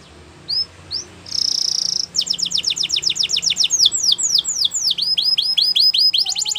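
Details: Canary with two short rising whistles, a brief buzz, then a long series of rapid sweeping notes that speed into a quick trill, loud and clear.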